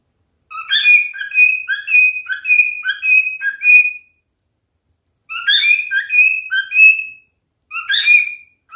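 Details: Male cockatiel singing: strings of clear whistled notes, some sliding up or down, in two phrases of about three seconds and two seconds with short silences between, then a third phrase begins.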